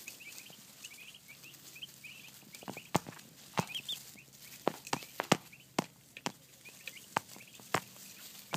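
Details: Baby turkey poults giving soft, high peeps in short scattered bursts, nearly masked by loud sharp clicks and knocks throughout.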